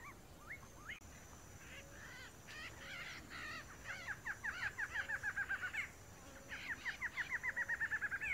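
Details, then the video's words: Male barred antshrike (Thamnophilus doliatus) singing in the wild in Brazil: a nasal, accelerating series of hooked notes around two kilohertz, speeding into a rapid rattle, given twice with softer calls between. "CHOCA-BARRADA (MACHO) - Cantando na Natureza - Barred Antshrike - Brazilian Birds Singing"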